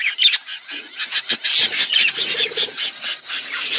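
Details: Flock of budgerigars eating winter food, loud rapid scratchy chirps and squawks pulsing several times a second in an unbroken stream.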